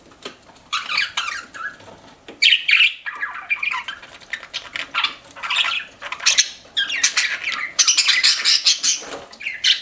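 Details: Pet budgerigars chirping in irregular bursts of scratchy warbling and sharp squeaks, with quieter stretches between phrases and faint background clatter.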